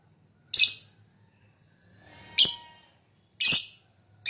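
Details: Lovebird fighter in high breeding condition, lure song: harsh rasping chirps roughly one second apart, broad and buzzy, with faint low hum between.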